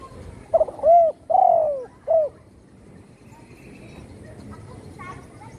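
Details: Captive spotted dove, once shot and wing-broken, now singing often at home: a single clear phrase of a short coo, a long falling coo and a brief final coo, then quiet background noise.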